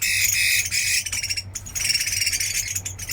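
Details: Chinese hwamei from Da Lat, Vietnam, tested as a fighting bird: dense, loud song of rapid varied whistles and rattling phrases, briefly breaking off before resuming, with a low hum beneath.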